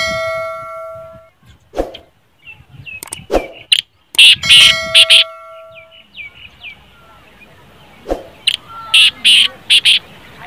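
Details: A black francolin (kala teetar) gives loud, harsh, grating phrases in short bursts with quick high chirps between, a sound played to make a silent captive francolin call. A ringing tone and metallic clicks are heard at the start.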